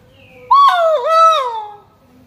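A great argus gives one loud, rich, two-part call lasting just over a second. The call rises, dips, then swells again before fading. The background is otherwise quiet.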